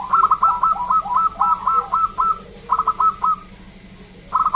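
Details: Local zebra dove, wild and loud, used to set other zebra doves singing: fast stuttering runs of short cooing notes, a brief pause, a shorter run, then a new burst beginning.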